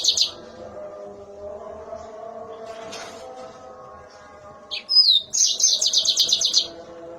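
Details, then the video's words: Mozambique canary with a piercing, sharp voice: short chirp, a quiet gap with low hum and faint background noise, then a high whistled slur leading into a rapid string of repeated metallic chirps. "Si Cantik Mozambik Gacor Suara Melengking Tajam"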